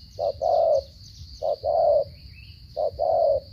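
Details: Cà Mau spotted dove giving 'gù cà lăm' stuttering coos in the 'giao long' style: three low soft phrases, each a brief clipped note followed by a drawn-out falling coo, over a constant thin high-pitched whine.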